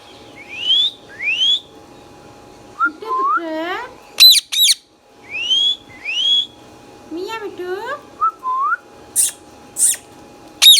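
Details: Pet green Indian ringneck parakeet known as a talking bird alternates rising whistles with nasal, wavering stacked calls and sharp screeches, repeating the pattern twice in ten seconds.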